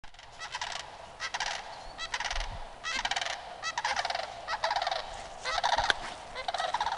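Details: Sandhill cranes giving loud, rolling, rattling bugle calls in repeated bursts of about a second, with several voices overlapping and trading off throughout.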